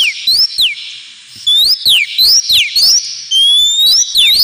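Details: Oriental magpie-robin (kacer) giving ngemplong song for pet-bird therapy: loud, clean whistles sweeping up and down, repeated in separate notes, a pause near the first second, then a long level whistle.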